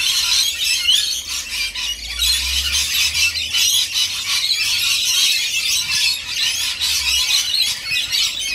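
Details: Constant high, screechy squealing and chatter from many parrots while rainbow lorikeets are fed, a low hum running underneath.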